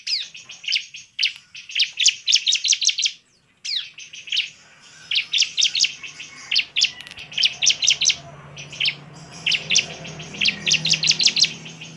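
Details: Ciblek (bar-winged prinia) singing vigorously to stir other birds into angry, persistent song: long runs of rapid shrill chirps, one brief break, then continuing dense bursts.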